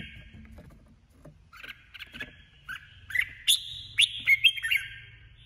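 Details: Red-whiskered bulbul, a female decoy bird in competitive singing, gives soft chattering notes that build into louder, quick whistled and warbling phrases toward the end, over a faint low background rumble.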